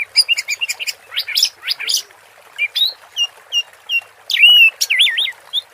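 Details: Orange-headed thrush singing teler style with a water-therapy backdrop: rapid chirps and upswept notes, then looping warbled whistles that rise and fall.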